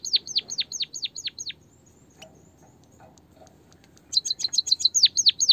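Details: White-headed munia, or bondol haji, in a recording for stimulating song in other birds: six high notes that slide steeply downward, a near-silent gap with faint ticks, then fast chips running into more downward-sliding notes.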